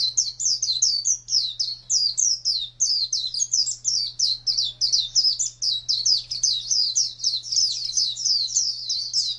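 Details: Oriental white-eye delivering a long ngalas wild-type song, a continuous stream of high, sweet, rapidly repeated slurred twitters with barely any pause, and a steady low electrical hum underneath.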